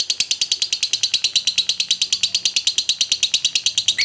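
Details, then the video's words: Ngekek panjang of a lovebird, aimed at provoking other birds; evenly spaced rapid shrill notes, about three each second, forming a steady buzzy trill. "Lovebird Ngekek Panjang PALING JITU Bikin Lovebird Lain EMOSI, BARU DENGAR SEBENTAR Langsung BUNYI"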